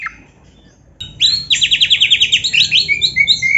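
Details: Canary-like singing by an oriental magpie-robin: after a short note and silence, a burst into a rapid buzzy trill of rapid repeated notes, followed by high chattering and clear whistles.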